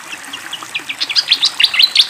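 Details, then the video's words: Fantail singing with flowing water: a quick accelerating series of squeaky chirps growing louder, ending in bright high whistled notes. "SUARA BURUNG SIKATAN KIPASS GACOR DENGAN SUARA AIR MENGALIR"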